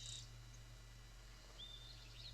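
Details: Spotted Towhee calls: thin, high, slightly rising "ee" notes, one brief and one longer and drawn out, over a low steady hum. Locally it gives just "ee" rather than "to-ee," plus an inquisitive "twee" like "what's up?".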